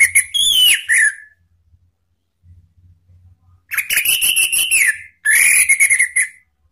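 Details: Orange-headed thrush calling to provoke rival birds: three bursts of buzzy, rasping notes with a whistled overtone, the longer ones stuttering about a second each, with faint low knocks between.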